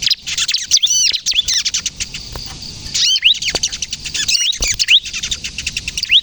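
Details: Bar-winged prinia singing energetically, kejepit style, as a lure and a prompt for young birds: high, sharp twitters and curved whistled notes in two main bursts.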